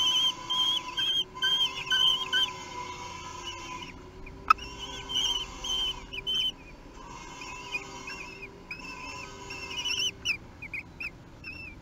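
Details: Common kestrel nestlings, three weeks old, begging at a meal at Théding, 8 June 2021: bursts of quavering, high whining whistles lasting one to three seconds, separated by short pauses, with a faint steady hum.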